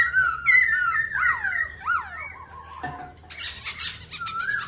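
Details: Silver-eared laughingthrush singing from its cage, a quick string of bending, whistled slurs and chirps, followed by a harsh, noisy rasp and one final rising whistle.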